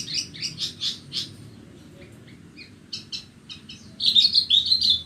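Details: Bornean Horsfield's bush lark (branjangan) in song on a sunny morning: a rhythmic set of high chirps, a few softer slurred notes, then a loud fast twittering burst at the end, over a faint low hum.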